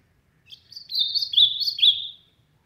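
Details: Ultramarine grosbeak from the sertão singing loudly: one rich warbled phrase of about one and a half seconds, slurred whistled notes at high pitch with a couple of descending sweeps near the end, in quiet surroundings.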